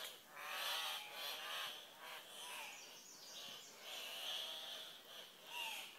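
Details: Andean cock-of-the-rock, a group of twelve to twenty displaying males at a lek at dawn, calling to attract females; repeated harsh, nasal screams come in uneven waves, several birds calling over each other.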